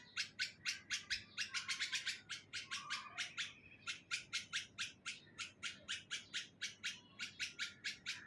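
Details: Bulbul at its nest in a neem tree, Hyderabad, Sindh, Pakistan, giving a steady run of bright, clipped chirps roughly four per second, briefly bunching faster early on, over quiet background hiss.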